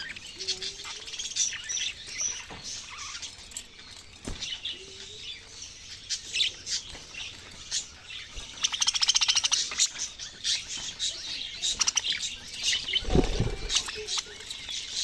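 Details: Budgerigars' morning song: a fast, scratchy warble of high chirps and clicks.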